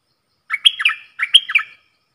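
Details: Caged bulbul dueling in song with wild birds, dated 03/10/2564. Two rich, bubbling whistled phrases follow each other closely, each a quick run of liquid notes rising and falling. The background is silent.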